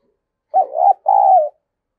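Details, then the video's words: Decoy spotted dove giving a coo meant to excite other doves: a quick dipping first note running into a rising hum, a pause, then one sustained mellow coo. Silent surroundings. "Tiếng Chim Cu Gáy Mồi Dùng Kích Bổi Tập Mồi Hiệu Quả Nhất"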